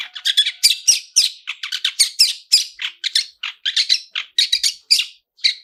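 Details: Long-tailed shrike lure song with 'toet toet' notes and rich fill-ins, meant to trigger singing: a dense, fast run of sharp chirps and buzzy, high notes, closely packed with only brief gaps.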